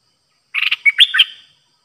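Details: Streak-eared bulbul, a newly kept caged decoy bird, recorded 6 May 2022, singing pure song phrases. One short bubbly phrase: a quick run of warbled notes, then a clear whistled note and a rich liquid flourish, over silence.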